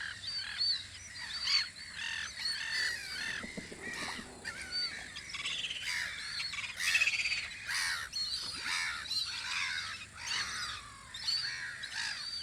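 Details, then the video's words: Gulls at their guard post on Audru polder in spring, a busy chorus of overlapping harsh, harmonic squawks and yelps from several birds, coming in irregular bursts about once a second, with faint higher chirps from other birds. "Kajakate vahipost Audru poldril"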